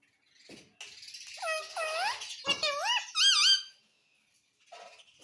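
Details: Pet parrot looking at itself in a mirror. It gives a run of loud, whistled squawks that rise and fall, several in quick succession, then goes quiet, with faint rustling before and after.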